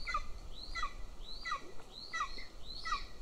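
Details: Golden eagle chick in a Northern Estonian nest begging while its sibling is fed; sharp, thin downslurred squeals repeated about every 0.7 seconds, fairly clear against quiet background.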